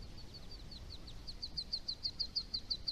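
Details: Wood duck ducklings on jump day, June 4, 2018, leaping from a nest box, give a quick run of thin, high peeps, about six a second, growing louder and sharper toward the end over a low background hum.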